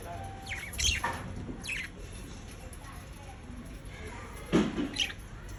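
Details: Pet budgerigars (Melopsittacus undulatus) making happy sounds: a few short, scratchy chirps and warbled bursts in three brief clusters over a low indoor hum.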